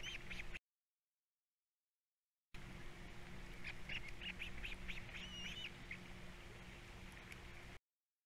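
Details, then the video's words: Osprey nestlings, three in the brood, calling at feeding time on a Captiva nest in 2022. After a gap, a burst of clipped high chirps and a drawn, wavering whistle come in a fast series over a constant low hum. "All 3 osplets doing well, #3 especially at feeding time"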